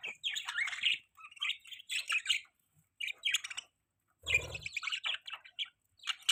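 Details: Budgie chirping in a mating call, a run of quick, buzzy warbled chirps in short clusters separated by brief pauses, with one low thump near the middle.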